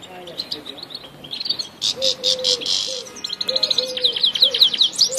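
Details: Grey-headed goldfinch singing in Tajikistan: a rapid, high twittering of buzzy trills and chirps builds in the second half, over a steady series of lower, tonal hooting notes repeated about every half second.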